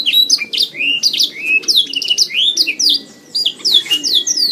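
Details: Canary song made as a training recording to build a songbird's confidence and voice: a rapid, unbroken stream of varied high whistles, trills and quick upward and downward sweeps, over a faint low background hum.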